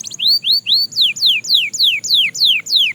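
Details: Belgian canary used as a singing training example, song at fast tempo: a steady series of clear whistled notes, first rising arcs then steeply falling sweeps, about four per second, with no other sounds.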